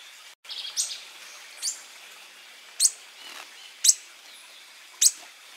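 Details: Koepcke's hermit in Peru sings very high, thin, squeaky notes, about one per second, over a soft hiss of background noise.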